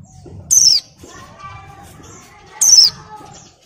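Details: Female Oriental white-eye in breeding condition, moulting, calling males: two bright, high, downward-gliding whistles about two seconds apart over a low, steady background murmur.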